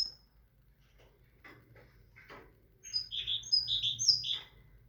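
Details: After some faint chirps and rustling, a tit launches into a burst of loud, high, repeated ringing notes.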